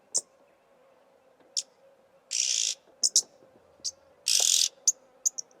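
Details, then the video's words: Oxpecker (Somali jirri) in Somalia: scattered sharp high clicks and two loud broadband hissing rasps, each about a third of a second, with a steady low hum underneath. "Jirri | oxpecker"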